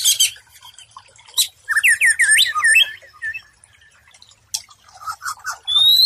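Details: White-rumped shama training song for stressed, silent birds: scratchy bursts and a fast, wavering warbled run, then quieter chatter ending in a rising whistle.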